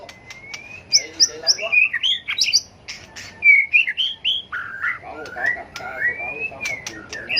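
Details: Tail-flicking white-rumped shama pouring out fighting song to provoke rivals in training; long rising whistle, clipped high notes and varied warbled phrases with sharp clicks between.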